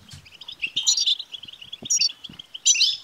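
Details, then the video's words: Short burst of European goldfinch batbata song meant to excite a caged male into singing: quick, tinkling, buzzy chatter with three bright, ringing flourishes standing out above the steady twitter. "بتبتة لتحفيز الحسون سوف يكسر القفص لأن دكر الحسون لن يصمت دقيقة واحدة بعد سماع هده البتبتة"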